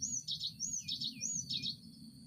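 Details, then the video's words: Cinereous tit sound used as a lure to stimulate caged birds to sing: high clear whistled notes arching up and down, each followed by a quick cluster of twittering notes, repeated three times. "Pancingan gelatik batu untuk merangsang burung ombyokan cepat bunyi"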